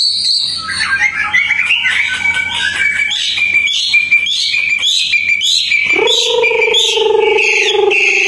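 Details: Busy chattering and warbling phrases from a fully tame Hwamei outdoors, delivered rapidly, then a long, clear, sustained low whistle that slowly falls.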